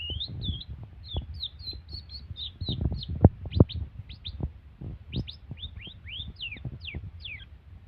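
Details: Long-tailed shrike imitating canary and lovebird: a string of short whistled notes, some slurred down and some rising sharply, delivered rapidly among low thumping and knocking noises.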